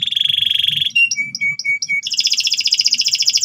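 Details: Loud, persistent canary song used to tutor young canaries in the ngeriwik trilling style: a fast even trill, then a row of short clear whistled notes, ending in a rapid, bright, buzzy rattle at higher pitch.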